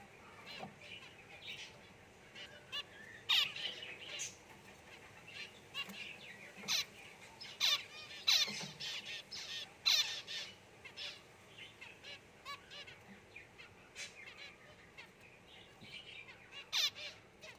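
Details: A white zebra finch pair with babies just out of the nest give short, nasal, trumpet-like beeps and chirps at an uneven pace.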